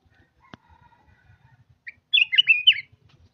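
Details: Caged red-whiskered bulbul singing one brief rich phrase of warbled whistles after a quiet stretch with a single click and faint low tapping.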